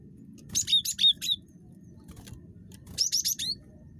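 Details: Talkative cinereous tit (gelatik batu) played to draw out other birds' calls: a run of four or five high, bright whistled notes, a pause of over a second, then another quick series of three or four, with low hum beneath.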